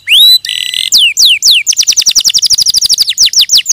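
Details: Canary song: a rising whistle and a brief buzzy note, then descending slurs speeding into a fast, evenly repeated trill of falling notes.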